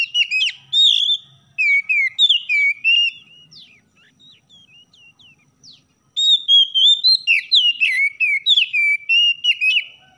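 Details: Oriental magpie-robin song in the morning, used as a master recording to spur lazy birds: lively bursts of melodious whistles and chirps, then a quiet gap of soft twitters before a long, vigorous final phrase.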